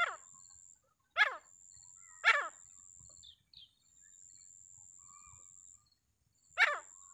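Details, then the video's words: Grey francolin from the wild uttering harsh, descending call notes about once a second, then pausing before another loud note, a faint steady high whine throughout. "जंगल राम तीतर आवाज"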